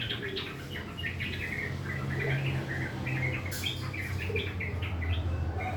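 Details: Morning song of a kept sooty-headed bulbul in rough 'ngriwik' style, a dense, uneven stream of quick clipped chirps and burbling notes over several seconds, with a brief noisy burst midway and constant low background hum.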